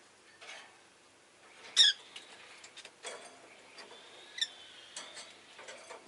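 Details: Rosy-faced lovebird giving one loud, sharp chirp followed by a thin, wavering whistle-like tone later on, amid light clicks and rustles and faint street noise.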